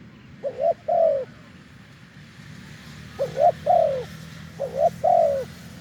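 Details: Wild spotted dove with a deep voice, cooing during branch-perch decoy trapping in an off-cue style. Three paired coo phrases, each a short note and then a longer falling one, separated by pauses. Low rumbling background.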